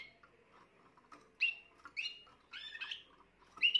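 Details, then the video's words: Young Spanish Timbrado canary of this year, recorded 14 June 2023, singing bright, short chirping notes, some sliding up or down, in spaced bursts of about half a second, with faint soft clicks in a quiet room. "chant timbrado jeune de cette année"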